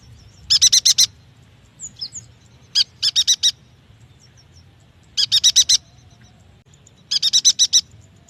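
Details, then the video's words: Yuhina song used as a lure to prompt young or silent yuhinas to sing: four bursts of rapid, high chattering notes, each a quick run of five or six sharp chips, spaced roughly two seconds apart, with faint low background rumble. "AMPUH untuk memancing bunyi burung yuhina bakalan, muda dan malas bunyi"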